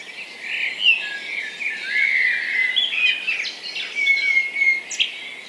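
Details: Common blackbird (Turdus merula) dawn song in a Hampshire, UK garden on 3 May: mellow, fluted phrases with twittering ends through a busy dawn chorus with robin, dunnock, wren, carrion crow and woodpigeon also heard.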